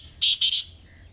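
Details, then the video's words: Kala Teetar, the black francolin of Pakistan, heard close by: two loud, harsh, buzzy notes in quick succession, each a fraction of a second long, then a soft fading tail. "Kala Teetar Ki Awaaz | Khamosh Teetar Bhi Bol Utha! 🐦 | Black Partridge Voice"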